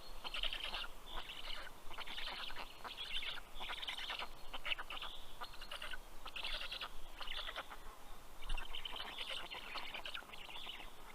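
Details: Black stork chicks greeting the fish-bearing male at their nest, Karula National Park, Estonia, 11 June 2023, 11:00; rhythmic bursts of wheezy, rasping begging, each about half a second, separated by short gaps with faint low rumble.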